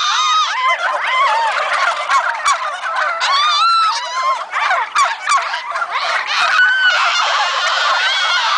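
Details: Domestic turkeys on a turkey farm ahead of Thanksgiving, a dense flock gobbling together: overlapping rapid warbling gobbles and wavering calls, continuous and loud throughout, with many birds calling at once.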